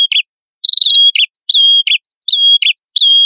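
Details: Red-headed prinia, male and female, in lively lure song: high whistled notes that slide down and hold steady, each followed by a short chirp, repeated roughly every second.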